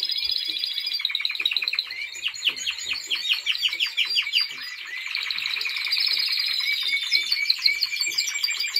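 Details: Timbrado Español canary in training, 2023, singing a continuous rolling song of rapid repeated notes, with dense metallic trills shifting pitch and speed throughout, steady and loud.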